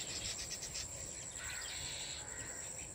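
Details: Small weaver birds at their nests woven from grasses in a farmhouse tree give a quick burst of sharp, high chirps, then a brief twittering trill, over a constant high insect buzz.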